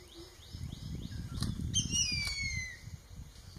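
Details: Newly fledged Jerdon's baza, one of three fledglings from a nest in Kaeng Krachan National Park, Thailand, 13 July 2021: a series of quick rising chirps, then a long, thin whistle sliding steadily downward, with low rustling background.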